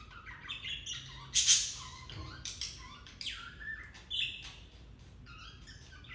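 Budgerigars chatter in busy, scratchy chirps and warbles, with a few sharper squawks mixed in.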